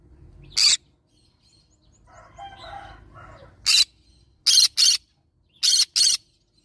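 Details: Yellow-sided green-cheeked conure parrot giving harsh, broadband screeches: a single shriek, then a pair and two more pairs, with softer, fainter harmonic chattering between them.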